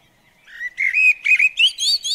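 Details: Garden blackbird visiting a bird table in the UK, a short warbled phrase of fluty whistles climbing into brighter, higher notes at the end.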